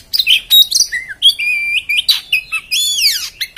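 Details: Rough, harsh song of an Oriental magpie-robin, loud and close, alternating sharp chipping notes, clear whistled slurs and steep descending buzzy sweeps in quick succession.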